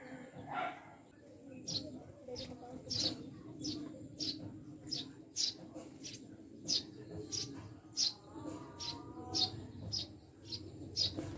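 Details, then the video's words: Eurasian tree sparrows from the mountains, newly kept as pets: short, high chirps repeated roughly every half second, over a low murmur of background voices and a steady electrical whine. "Mga ibong Maya Bago naming Alaga"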